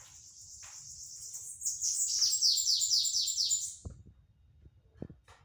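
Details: Sibite, or bananaquit, giving its 'batidas de pitiú' song on a Saturday in November: a soft high buzz swelling into a rapid run of sharp descending strokes, then silence broken by a couple of low knocks.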